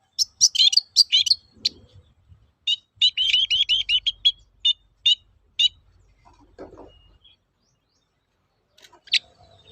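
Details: Long-tailed shrike lure song for training birds to sing, 'toet-toet' style: bright chirps, then a fast run of clipped high notes, a brief low rasp and one last sharp note after a pause.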